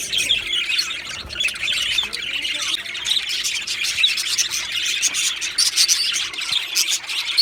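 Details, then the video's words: Australian budgies chattering as a colony in an aviary, 15 July 2025: constant high, scratchy warbling and quick chirps from many birds overlapping, with occasional louder squeaks. "Beautiful Budgies Birds Chirping Sounds"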